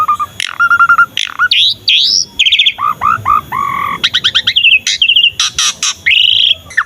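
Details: Asian pied starling (jalak suren), a constantly singing bird used to train and lure young starlings into song; a varied run of pure whistles, rising slurred notes, and buzzy harsh bursts, with short gaps between phrases.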